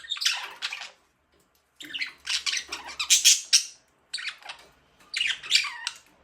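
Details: Caged budgerigar calls in three quick bursts of harsh, buzzy chirps and squawks, with a silent gap just after the first second.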